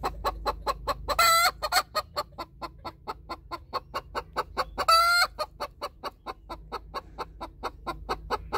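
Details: Hen's egg song after laying, having laid alongside another hen: a steady run of short, sharp clucks, evenly spaced, broken twice by a loud, drawn-out, harsh squawk that rises then holds.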